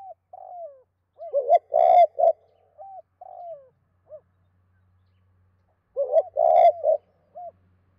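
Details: Spotted dove cooing to two hens in the '2 cốt' style. Two full phrases, each with a falling slurred lead-in, stuttered coos, a loud burred central note and a short end note. A faint low hum sounds between phrases.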